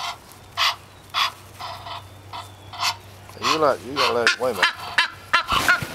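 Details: Female Egyptian goose demanding breakfast at the back door in the morning, a few spaced harsh honks followed by a person's voice mixed with continued calling.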